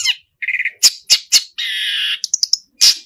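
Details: Long-tailed shrike singing actively in the 'full isian' style, packed with learned filler phrases: sharp chirps, a rapid stuttered run, a long buzzy rasping note, then quick high flicks and a final harsh squawk, separated by brief pauses.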